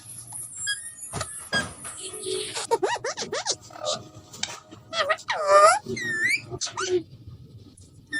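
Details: Pet Alexandrine parakeet talking, saying "miyan mithu" in short, nasal, speech-like phrases with sweeping, warbling tones and a few harsh squeaks, over faint background noise.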